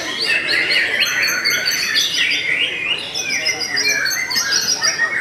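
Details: Kept white-rumped shama, Belanda type, delivering stable song: layered high whistles and chattering trills in quick succession, briefly dipping in loudness midway, against a continuous background hiss.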